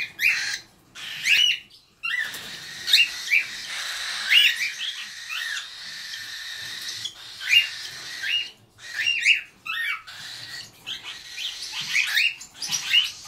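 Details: Hand-raised baby cockatiels perching and playing, giving raspy, high-pitched calls in quick bursts, mixed with short whistled notes.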